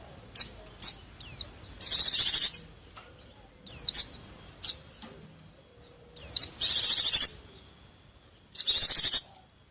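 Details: Mountain white-eye lure sounds for wild birds: thin high notes and downslurred chirps alternating with three long, fast, buzzy trills.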